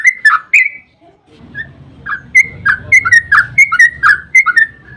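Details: Yellow-vented bulbul singing a long rolling lure song to draw replies from other birds: a few whistled notes, a pause with low rumbling noise, then a rapid run of liquid bubbling notes.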